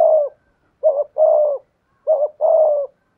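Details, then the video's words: Spotted doves in a decoy contest, a trained dove cooing in 'thổ' style mixed with 'thúc gù' against a wild dove: low, hollow two-part coos, a short rising note then a longer level one, repeated in a clean, quiet setting. "cu gáy giọng thổ pha thúc GÙ đấu với bổi, tiếng gáy bổi nghe rất ghét và gáy theo hiệu quả"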